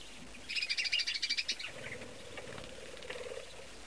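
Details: Young chick calling from a nest inside an old cabinet, used for indoor breeding; a fast series of about ten sharp, high peeps lasts one second, followed by quieter scattered peeps and a low, muffled hum.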